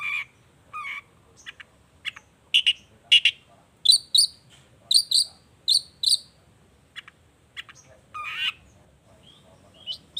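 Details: Long-tailed shrike in lively song meant to provoke other shrikes into answering: scattered varied phrases, with high sharp paired chips repeated about every half second in the middle and a harsh, sliding burst near the end.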